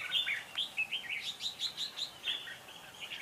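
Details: Red-whiskered bulbul decoy song for trapping: loud, clear whistled phrases followed by a rapid series of short chirpy notes, ending with another warbled whistle.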